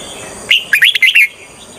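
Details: Decoy red-whiskered bulbul for trapping wild birds gives one short, cheerful phrase of rapid whistled notes swinging up and down, over a faint steady high hiss.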